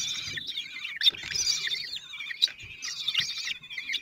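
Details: Nest of common kestrels in Théding, France, late June 2023, with the male bringing food to four chicks aged 16 days: dense, high trilled chatter in overlapping bursts, brief pauses about every second, soft scratching underneath.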